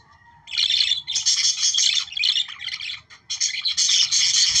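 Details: Budgerigar song used to encourage breeding: continuous scratchy, high warbling with squeaky chirps, pausing briefly midway before the busy chatter resumes.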